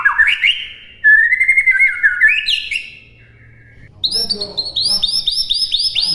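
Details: Whistled white-rumped shama song meant for imitation training: rising and falling fluty phrases, a near-silent pause, then quick repeated high arched notes in a steady series.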